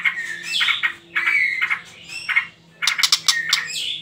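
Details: White-rumped shama song used as a lure to provoke young birds to sing: clear rich whistled phrases and short chattering notes in bursts, separated by brief pauses, followed by a sharper, more rapid sequence near the end.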